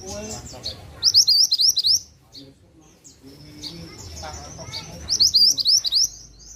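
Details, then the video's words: Scarlet-headed flowerpecker (mantenan) singing actively: two bursts of rapid, very high, thin rising notes near one and five seconds, each about a second long, with quiet gaps, low background hum and faint voices between. "Burung Mantenan Gacor"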